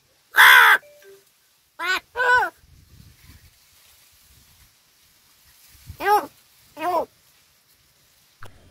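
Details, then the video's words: Talking crow uttering Marathi words: a loud harsh opening call, then two quick hoarse calls close together, a quiet pause, and another pair of nasal, word-like calls, each short and arched in pitch. "बोलणारा कावळा"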